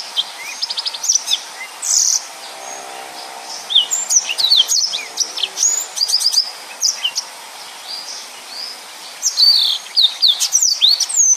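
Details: Yellow-fronted canary delivering a long, dense 'nembak full rapet' song meant for training other birds: bursts of high chirps, buzzy trills and upslurred whistles separated by brief pauses.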